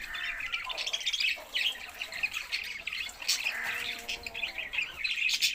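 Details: Budgies keep up a dense, scratchy warbling chatter with squeaks and sharp chirps from more than one bird.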